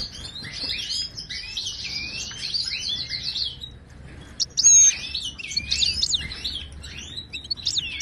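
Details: Ouidani-style song of a wild Moroccan European goldfinch, played to teach caged goldfinches: a long stream of tinkling high twitters and buzzy trills, a short gap, then sharp whistled notes and liquid rising phrases.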